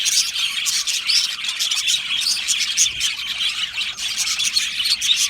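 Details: Colony of Australian budgerigars in an aviary, a dense continuous chatter of overlapping high chirps, squawks and warbles with no pauses, many birds calling at once.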